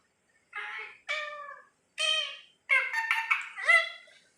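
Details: Talking parakeet said to say any human words, imitating speech indoors: five clear, high-pitched voiced syllables with strong harmonics, short words spaced about half a second apart, the last few run together into a longer phrase.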